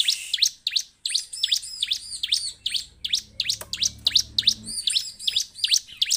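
Bar-winged prinia giving rapid, sharp high chips and short sweeping notes, about three per second, steady and insistent, with a faint low hum underneath.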